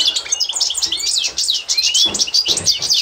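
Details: European goldfinch of the authentic Constantine type, used as a tutor for training learning birds, 2024: rapid, high tinkling twitters with buzzy notes and rising whistled slurs, packed continuously without pauses.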